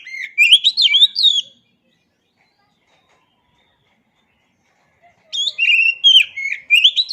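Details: Oriental magpie-robin (kacer) song, used as master material for training songbirds: two bursts of rapid, varied whistles and chirps, rising and falling notes jumbled together, separated by about four seconds of silence.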